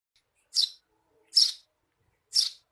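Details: Eurasian tree sparrow, 'receh' style chirping used as a tutor recording for training songbirds: three short, bright, harsh chirps spaced about a second apart, with quiet gaps between.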